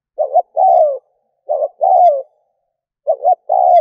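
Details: Spotted dove kept as a decoy to attract wild doves. It gives rapid, evenly spaced cooing phrases, each a quick stuttered pair of notes and a longer sliding-down coo, about every one and a half seconds, in a clean recording.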